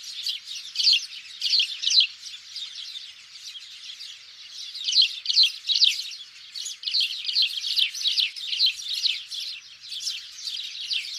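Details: House sparrow chirping used to lure birds for hunting: a steady, busy chatter of many short high chirps overlapping throughout, rising and falling in loudness in uneven waves, nothing else audible.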